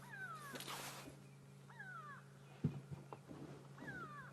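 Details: Grey go-away-birds alarm calling at sunrise in Sabi Sand, South Africa, 31 May 2016, possibly at a hyena: three drawn-out, nasal, cat-like wails, each falling, about every two seconds, over engine hum and knocks.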